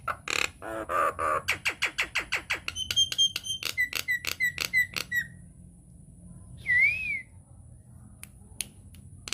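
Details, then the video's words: Nias hill myna lure song for provoking other mynas: a fast regular train of loud clicks and squawks, then repeated clear whistled notes, a pause and one looping whistle, with isolated sharp ticks afterward. "PANCINGAN / MASTERAN JALAK NIAS GACOR, TEMBAKAN DAHSYAT 🔥 |INDIAN MYNAH BIRD CALL"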